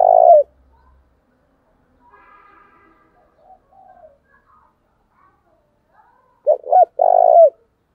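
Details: Spotted dove used as a decoy, calling loudly to provoke rivals into fighting, thổ voice: the end of a long rolled coo, several seconds of faint background sound, then a full phrase of two short coos and a long trilled coo.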